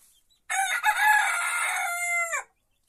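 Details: Small rooster crowing in a henhouse: a loud, harsh, harmonic-rich crow lasting about two seconds, starting rough and broken, then holding a steady tone before a quick downward drop at the end, with near silence around it.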